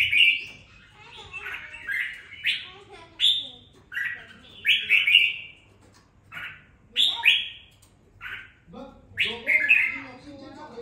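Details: Red-whiskered bulbul kept in a cage for two weeks after purchase, its voice gaining some fire; a long run of short, clear, whistled and warbled notes, about a dozen bursts with brief gaps, the last phrases more tumbling.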